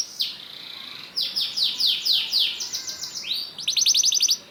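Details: Canary singing a long 'dor ngerek' pancingan to spur other canaries: a quieter buzzy opening, then a run of bright sweeping notes, ending in a rapid staccato trill of short repeated notes.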